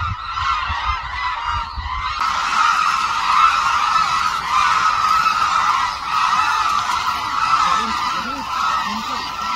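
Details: A large flock of hooded cranes calls at once at Suncheon Bay wetland, South Korea, a wintering site, in a dense, continuous chorus of loud, ringing trumpeted notes with no gaps between birds.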